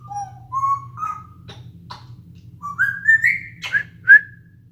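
A grey parrot gives a string of clear whistles, each sliding upward, broken by sharp smacking clicks like kisses, over a steady low hum.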